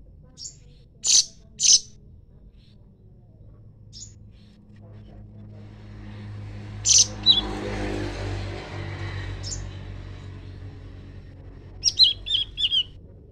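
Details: Leafbird singing in exchange with a scarlet minivet: scattered sharp, high chirps come singly and in pairs, ending in a quick cluster of rapid descending notes, over a low steady hum with a passing vehicle-like rumble midway.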